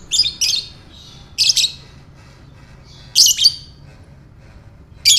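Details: Ngekek-style lovebird calling aimed at stirring other lovebirds: repeated raspy, shrill doubled chirps roughly every one and a half to two seconds, with soft squeaky notes in between.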